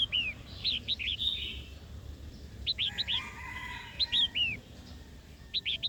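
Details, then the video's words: Female red-whiskered bulbul calling to provoke a wild-caught male into singing and fighting: clusters of three or four quick, bright, downslurred whistled notes, the bursts spaced about a second and a half apart over a low steady hum. "Chào mào hót tiếng mái kích bổi"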